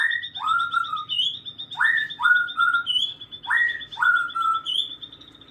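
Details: Afternoon birdsong with repeated whistled phrases, each a quick falling slur followed by a flat, slightly lower whistle, about three phrases in five seconds, set against a constant high, rapidly pulsing trill.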